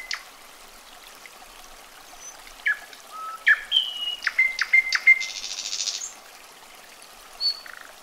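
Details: Common nightingale in song: a soft lone whistle, then plunging notes, a long level whistled tone broken by clicks, and a high harsh buzz, with quiet gaps around.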